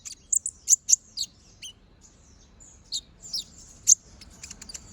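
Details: Brown-throated sunbird in song, recorded as a master for training other birds: a burst of sharp high chips, a quiet pause with a faint thin whistle, then more loud clipped notes.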